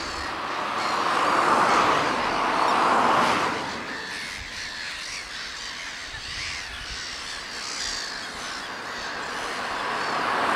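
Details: Black-headed gulls in a breeding colony on Texel, 2017, where a large chick is present; harsh, grating squawks overlap into a dense chorus, loudest in the first four seconds, then softer but continuous.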